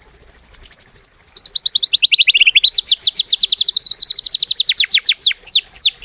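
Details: Lure recording of a prolific white-rumped shama: a long, very rapid high trill that dips lower in pitch, then rises again into repeated sharp slurred notes, loud and continuous.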